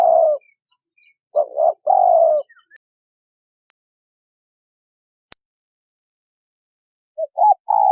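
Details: Male and female spotted doves calling to attract wild birds: a few mellow low coos, a double note then a long coo, followed by several seconds of near silence and a single click before cooing resumes.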